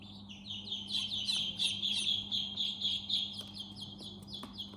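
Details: Baby chicks in their house peeping nonstop: rapid, high, downward-sliding chirps from many birds at once, with a low steady hum underneath.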